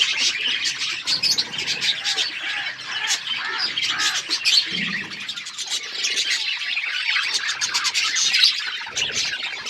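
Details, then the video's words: Budgies described as wild, kept in an outdoor aviary: a dense, continuous flock chatter of high warbling chirps and scratchy twitters overlapping without pause for the full length. "Wild budgies in my outdoor aviary birds chirping sound"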